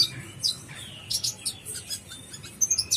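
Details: Brown-throated sunbird in gacor full isian song, giving scattered high chirps, a descending thin whistle, then short bright twittering bursts near the end, with soft low background noise.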